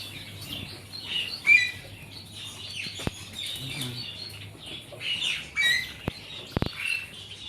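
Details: Silver zebra finches, several birds together, giving short nasal chirps and squeaky calls in loose bursts, with wing flapping, sharp clicks and a low steady hum behind.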